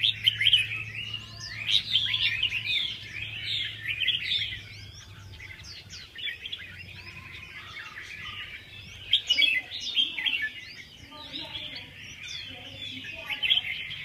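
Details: Red-whiskered bulbul giving a long stretch of rapid chirping and whistled notes in dense, jumbled runs. There are louder bursts near the start and middle. A low steady hum persists in the background.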